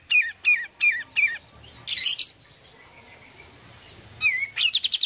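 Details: Oriental white-eye song. Four looping, downslurred whistled notes open the phrase, followed by a burst of harsh scratchy chatter, a quiet pause, then renewed whistles leading into a quick high trill.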